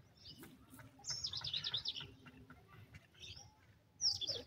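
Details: Female grey francolin, locally called dakhni teetar, rebuffing a male: a loud, shrill, harsh chattering burst of about a second, then softer scattered notes and a sharp high call at the end over a low background rumble.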